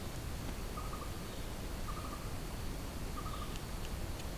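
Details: Jungle song of a blue-throated barbet, three brief rattling notes spaced roughly a second apart, fairly faint against constant low-pitched hiss.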